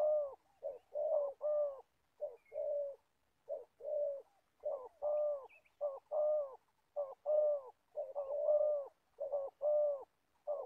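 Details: Older decoy spotted dove for trapping, from Gia Lai, Vietnam, giving a long series of low coos, short and long notes alternating in quick pairs, steady and loud throughout.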